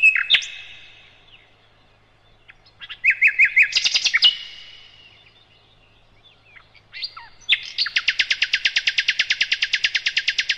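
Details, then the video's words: Sikatan londo (nightingale) recorded as master song for cage birds: varied slurred phrases and buzzy bursts separated by pauses, ending in a long, loud, fast trill of identical notes. "Materan Burung Sikatan Londo"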